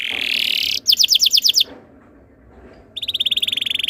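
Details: Canary tutor song used to get other canaries singing: a buzzy high note, a burst of rapid paired chips, silence, then a steady fast trill of repeated notes.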